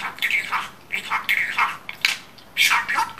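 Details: Pet budgerigar mimicking Turkish speech with four or five squeaky, falling, word-like syllables separated by short gaps, sounding hoarse and compressed.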